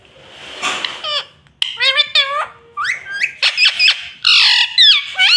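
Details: Pet rose-ringed parakeet chattering in a rapid string of short, shrill, squawky word-like syllables, some rising sharply and some falling, with brief gaps and a raspy burst near the start.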